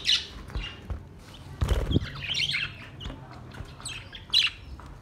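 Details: Budgerigar singing, with short squawks and rapid high warbling chirps scattered through the clip, plus a louder low thump near the middle.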